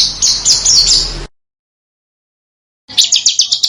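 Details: Sharp high chattering trill from a small bird, recorded as master material for training competition cage birds, breaking off into silence and resuming with quick repeated rising notes, about four per second.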